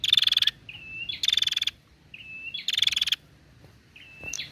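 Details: Female Bar-winged prinia calling to stimulate males to sing: loud, rapid buzzy rattling bursts alternate with short, flat whistled notes, the pattern repeating about every one and a half seconds.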